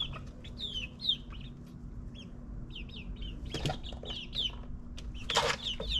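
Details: Ninth-week chicks in a suburban backyard give scattered high falling peeps, broken by sharp rustling or flapping noises, with steady low machinery hum behind.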